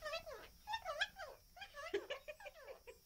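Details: Hand-reared pet Australian king parrot chatting indoors; rapid run of harmonic, speech-like syllables with rising and falling inflections, several per second, in a small room.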